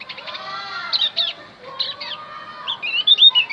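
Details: Javan grey-throated white-eye song for luring wild birds: short clusters of high chirps, then a final burst of fast, rising and falling whistled twitters.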